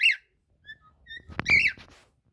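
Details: Cockatiel song: a clear whistled note, a few soft short tones, then a sharp click followed by a louder slurred whistle over low background rumble.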